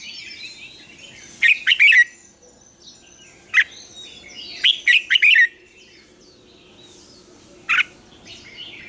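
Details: Double-note wild-style morning song of a red-whiskered bulbul, a lure for training birds: a few brisk warbled phrases and single sharp notes with long quiet gaps between them.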